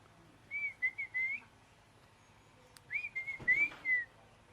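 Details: A parrot giving clear whistled phrases, two groups of wavering high notes each lasting about a second, separated by a short pause, over quiet background hiss.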